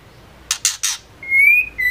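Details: Female white-rumped shama, whose sound is used to excite male shamas to sing: three scratchy bursts followed by a sustained, slightly rising pure whistle and a brief second whistle.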